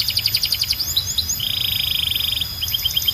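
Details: Canary with a loud, clear song: quick chirping notes, two falling whistles, then a steady fast rattle lasting about a second before short chirps resume.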